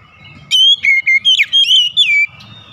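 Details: White-rumped shama in the morning giving one clear melodious phrase of about six whistled notes, some swooping, over low soft background murmur.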